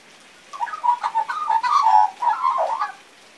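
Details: A baby magpie sings imperfectly in a short burst of gurgling, warbled notes. The notes climb and dip, then fade out after about two and a half seconds.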